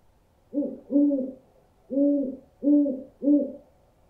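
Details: Owl giving five low, soft hoots in a broken rhythm: a quick pair, a pause, then three evenly spaced hoots, each short and slightly rounded, against near silence.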